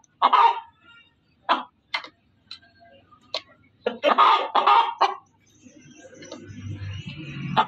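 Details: Female chicken giving loud, sparse clucks: single sharp notes spaced a second or more apart, a brief cluster of harsh cackles, then rising rustling background noise with a final cluck.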